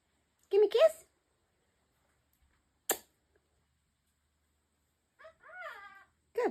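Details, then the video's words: A male African ringneck parrot (rose-ringed parakeet), a pet addressed as a good boy, talks in short speech-like bursts with a high, slightly nasal, wavering tone, separated by pauses and a sharp click. "Talking African Ringneck Parrot"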